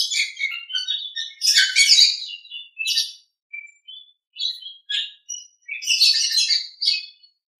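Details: Nias hill myna, training song for other birds: irregular bursts of loud raspy chatter alternate with short clear whistled notes and brief silences, about three separate calls per second at the busiest.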